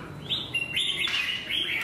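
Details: Competing red-whiskered bulbul, a wild-caught bird shown in a fight, gives short bright chirps and sliding whistled notes in quick succession against low steady rumble.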